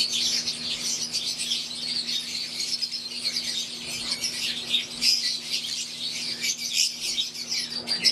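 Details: Wild-type green Fischer's lovebirds kept with Euwing lovebirds in an aviary, a dense flock chatter of high, scratchy chirps overlapping continuously, with a low steady electrical hum underneath.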